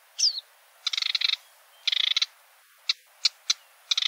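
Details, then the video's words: Sedge warbler song: harsh, buzzy chattering bursts of rapid ticking notes, each a quarter to half a second long, alternating with single sharp clicks and a short squeaky note, with nothing low-pitched underneath. "Vogelstimmen: Der Schilfrohrsänger"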